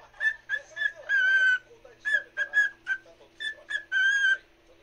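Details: A cockatiel kept as a pet sings for a second cockatiel in short clear whistles, with a few longer held notes mixed in, and a quiet room behind it.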